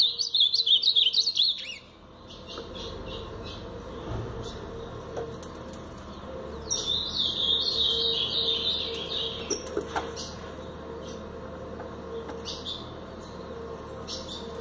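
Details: Blue-black grosbeak in brown plumage singing the Paraná style: a loud, rapid warble of high chirps opens, followed by a quieter second run of twittering notes midway, with a low steady hum underneath.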